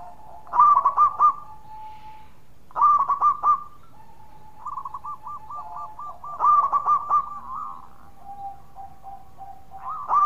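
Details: Local zebra dove singing loudly and persistently while others answer: hard, stuttering coo phrases near one pitch, about every three to four seconds, with softer overlapping rolling coos and a steady low hum between them.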